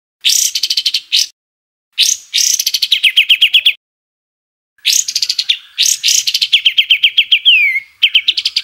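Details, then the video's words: Rough 'tembakan kasar' bird song, edited for training caged songbirds: dense scratchy phrases of rapid repeated notes that drop slightly in pitch, some ending in a sliding whistle, separated by clean silent gaps. "Tembakan Kasar Masteran Kompilasi Mewah Untuk Semua Jenis Burung Cucak ijo, Murai batu"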